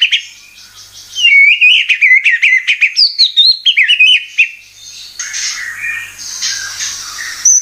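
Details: White-rumped shama lure song used to provoke singing: a quick varied sequence of whistled slurs and chips, followed by softer, noisier chatter and a final sharp note.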